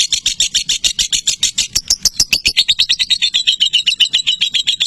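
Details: Lovebird in a long, sustained chattering song: rapid, high, sharp chirps repeated about four times a second in an unbroken stream, the notes sliding slightly lower midway and continuing steadily.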